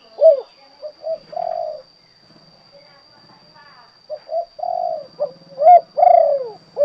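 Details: ['Spotted dove, kuk 2 song type: a deep cooing phrase, a pause filled with faint low murmurs, then a second fuller phrase of short coos ending in a long, slightly falling coo.']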